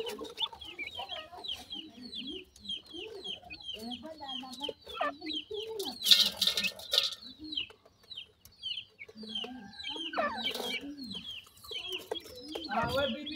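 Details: Wild grey francolin (teetar) chicks being fed termites as home-style food: a busy stream of high, short downslurred peeps, many overlapping, with lower murmuring sounds beneath and a brief rustling burst midway.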